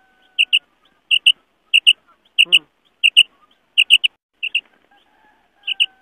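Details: A female quail gives sharp, high paired 'pit-pit' notes about every two-thirds of a second over a faint steady hum, a call used to lure male quail.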